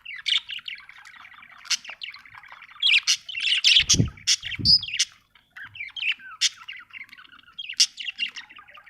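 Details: Budgie giving continuous busy chatter, a mix of buzzy warbles and sharp high tweets, with two dull low thumps partway through and a brief quiet break before the chirping resumes.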